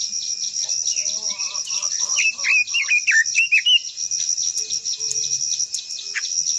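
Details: Japanese white-eye (quế lâm) delivering its long-voiced song. Thin, high chirps build into a fast burst of bright, sharply rising and falling twittering notes in the middle, then quieter notes, over a constant high hiss.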